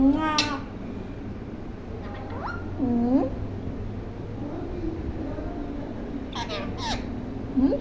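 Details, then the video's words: A talking blue ringneck parrot speaks in short, nasal, speech-like phrases, several quick word-like bursts with sliding pitch, over a steady low indoor hum. "Toking Blue Ringneck Parrot"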